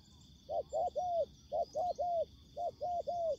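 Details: Spotted dove in ground-decoy trapping where fierce wild birds come in: three rapid triple-note phrases, two short coos then a longer one, each phrase about a second apart, with a faint high whine behind.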